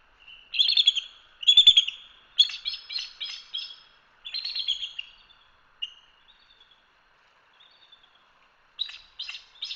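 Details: Bald eagle chatter from a live nest camera in Hanover, Pennsylvania: high, thin squealing notes in stuttering bursts, several rapid pulses per burst, with quiet gaps between.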